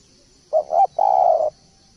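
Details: Spotted dove singing as a tutor recording for training birds: a double-pulsed short coo, then one drawn-out, even, slightly rough coo lasting about half a second. A faint steady hiss sits high above.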